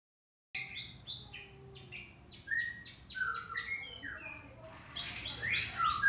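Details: Caged canary singing a lure song meant to provoke other canaries into song: rapid varied chirps, trills and whistled slurs, mostly high-pitched, in continuous bursts with a faint low hum beneath.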